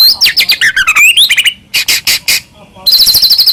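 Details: White-rumped shama song used as a lure to make captive birds sing and respond: rapid varied phrases of sweeping whistles, buzzy notes and sharp repeated chips, with a short pause before a fast trilled run.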